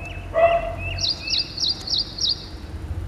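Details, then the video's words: Ashy prinia (Prinia socialis) giving five high, sharp, repeated tchup-like notes about three a second, preceded by a brief low bark-like sound and faint softer chirps. "Ashy prinia or Ashy Wren Warbler - Call,song"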